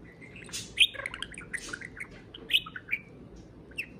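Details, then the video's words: Parakeet kept as a pet, singing to a beer can. Bright twittering chirps and short rising whistles come in quick, uneven bursts with a few louder squeaks. "Pixel the Parakeet Talks + Kiwi serenades a can of beer"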